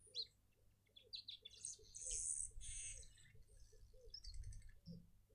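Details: Burchell's Coucal in a suburban garden in Pretoria, South Africa, giving a low, hollow bubbling run of about a dozen quick notes, with small birds chirping and twittering high above it.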